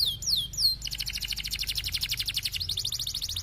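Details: Canary song in a high-low style, used to prompt stalled canaries to sing: a few swooping whistles, then a long, very fast, even trill held for over two seconds.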